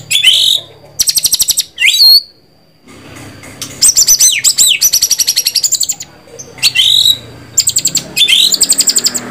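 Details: Varied white-rumped shama song of loud high trills, rapid repeated notes, swooping whistles and upward slurs, given in bursts over about nine seconds.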